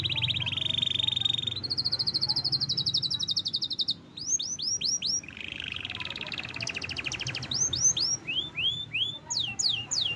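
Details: Healthy kept canary singing vigorously: steady buzzy trills, a jump to a higher trill, a run of swooping downslurred whistles, another rolling trill and more falling whistles, over low background rumble.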